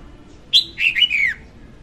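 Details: Female red-whiskered bulbul singing, a recording used as a lure for trapping; one short bright phrase of quick whistled notes, the first sharp and high, the rest slurring downward.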